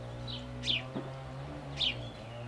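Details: Male house sparrow giving two short, sharp descending chirps about a second apart over a steady low engine-like hum.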